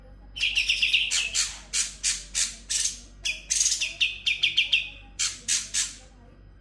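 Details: Sooty-headed bulbul singing full ngebren with konin, kapas tembak and kunti imitations: bursts of quick chirp trills mixed with loud harsh rasps, repeated in uneven clusters.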